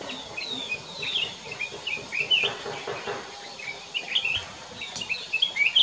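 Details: Black-crested bulbul singing at Kyari Village, Corbett National Park: short, bright chirping phrases in quick bursts, high-pitched and slightly scratchy, with other birds twittering faintly behind.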